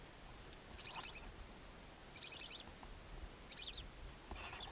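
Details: Barn owlets, two newly born and alone in a nest box beside a chimney in Ságvár, Hungary, on April 23, 2024: faint raspy hissing bursts at irregular intervals against a noisy hum, with a few soft knocks.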